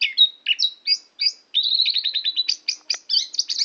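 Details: Chattering song of an oriental magpie-robin at Tambakagung, Klirong, Kebumen: short whistled phrases separated by pauses give way to a fast rippling run of sharp chirps and rising slurred notes, with no other sounds.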